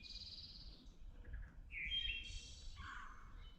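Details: Wood Thrush song heard on the Appalachian Trail, identified by a hiker with Merlin: a high hissing phrase, then a pure rising flute-like note and a silvery buzzing trill, with a lower burry note after. Steady low rumble beneath.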